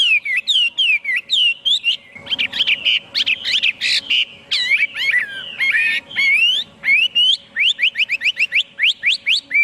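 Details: Chinese hwamei in full, loud song: varied melodious phrases and jumbled rich notes, closing with a rapid series of sharp rising whistles.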